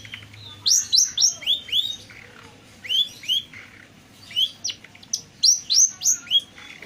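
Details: Long-tailed shrike song used as a lure to get pentet birds that rarely sing or are stressed to answer: quick bursts of high, sharp downslurred chirps strung in rapid runs, pausing between phrases, over faint low background hum.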